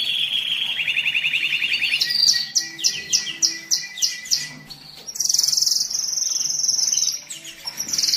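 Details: Canary song played as a tutor recording for moulting and resting birds, meant to excite males and ready females for breeding: a fast low rolling trill, then a series of sharp high chirps, then long bright high rolls.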